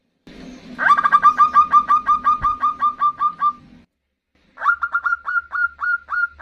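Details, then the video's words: Female zebra dove calling to attract a male: a fast, even run of about fourteen ringing coo notes, a second of silence, then a slower series of around eight clear notes. "Suara perkutut betina memanggil jantan"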